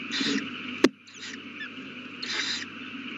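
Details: Owl at the nest with a newly hatched chick, 8:32 pm on 18 April 2019; harsh broadband hissing bursts, one near the start and another near the end, separated by a sharp click, over steady background hum.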